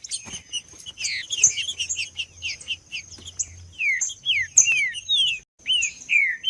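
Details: Green-winged saltator song played to stimulate males, a busy run of bright descending whistled slurs, loud and rapid, with a constant high-pitched tone in the background and a low rumble.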